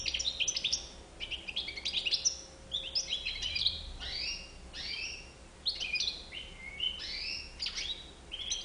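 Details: European goldfinch with a white chin, singing a lively run of twittering, high chirps and short rising and falling notes in quick bursts separated by brief pauses, with a faint steady hum underneath.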